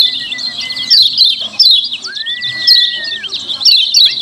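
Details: Noisy 'ciak ciak' chatter of the lemon-bellied white-eye, used as a lure: crowded high twittering in pulses, with a long steady whistle that slides down at its end.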